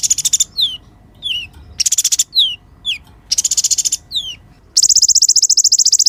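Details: Singing sunbird recorded for training other songbirds. Clipped chirp runs and buzzy trills alternate with short down-slurred whistles, closing in a long, fast rattling trill.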